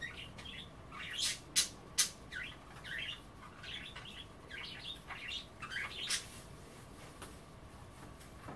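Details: Pet budgerigars chattering indoors while nibbling kale and water offered for a bath: quick warbled chirps and sharp clicky ticks, bursts clustered in the first half, softer scratchy twitters later over a quiet room hum.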